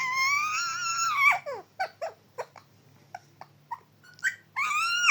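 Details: A parrot talks in a long wavering, voice-like note that drops away, followed by brief scratchy syllables and another sustained rising call at the end.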